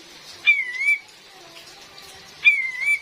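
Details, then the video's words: Female cream-vented bulbul, a lure recording for forest trapping: two clear, wavering whistles, each dipping and rising again, spaced about two seconds apart in near silence. "SUARA ASLI KAPAS TEMBAK BETINA"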